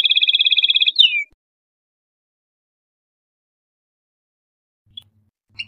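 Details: Tunisian European goldfinch giving a rapid, evenly pulsed trill of high metallic notes lasting about a second, ending in a downslurred twitter, followed by near silence and two faint chirps.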